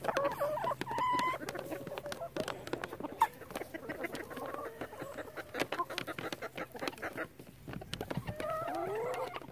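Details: Calm flock of chickens murmuring: a steady stream of low, soft clucks and occasional drawn-out whiny notes from several hens, plus pecking clicks and a light background hum.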